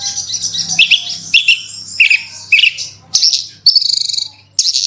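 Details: Horsfield's bushlark lure song: scratchy high phrases with dropping slurred notes roughly twice a second, then a fast trill-like burst and buzzy twitter, a soft hum underneath.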